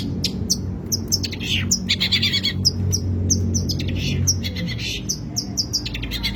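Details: Long-tailed shrike singing rich, messy song: sharp high chips and scratchy buzzy bursts mixed with short whistles, delivered quickly and unevenly over a constant low background hum.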